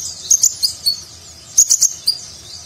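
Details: Sunbird (konin, kolibri ninja) singing actively in the nagen style, used as a master recording for contest birds; high, sharp chirps and short whistled notes in two bursts separated by a brief pause.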